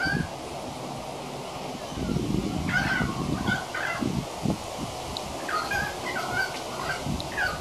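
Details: A young male pied currawong, recorded 28 February 2016, practises its song in a halting run of short, whining whistles, some swooping up or down, over a low background rumble.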